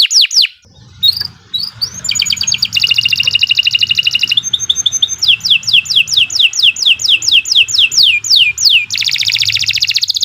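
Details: Extended canary song intended as a training master. Scattered whistles open into dense buzzy trills, steady piping, and a long string of swooping whistles repeated about twice a second, ending in another rich fast trill over a faint low hum.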